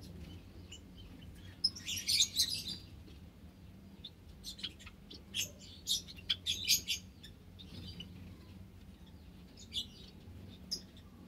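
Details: White Java sparrows, among 10 kept with white-headed, scaly-breasted and tricolor munias in an aviary with nestboxes, 21 March 2021, give bright metallic chirps in short bursts, mostly near the start and middle, over a low steady indoor hum.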